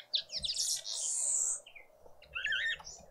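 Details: Green woodhoopoe family group out on a noisy spring Sunday morning at breakfast in a suburban garden in Pretoria, South Africa; harsh high chattering bursts, a short pause, then a wavering, rising and falling cackle.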